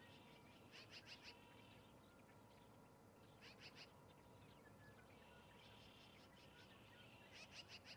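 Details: Osprey at its nest near Charlo, Montana, recorded 03-08-2019: bright, sharp chirps in quick bursts of three or four, each burst returning every two to three seconds over a steady low hum and background hiss.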